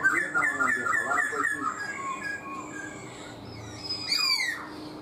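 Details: Four-month caged black-throated laughingthrush singing a fast string of short repeated whistled notes that fade, a quiet pause, then a loud rising and falling whistled flourish.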